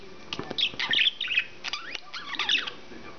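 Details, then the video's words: Male English budgie kept as a pet, chattering in quick bursts: scratchy warbled phrases and high squeaks, separated by brief quiet spells. "Whaley The English Budgie Is A Psychic!!"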